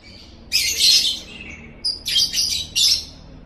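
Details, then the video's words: Lovebird ngekek, a chattering call: a dense, harsh, high-pitched burst of rapid chatter about a second long, then a pause, then three shorter scratchy bursts in quick succession. The background is quiet. "bikin LOVEBIRD ANDA NGEKEK NGEKEK"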